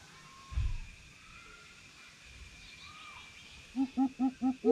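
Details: Greater coucal challenging a rival, five deep resonant hoots arriving near the end after a stretch of hissy background and a low thump.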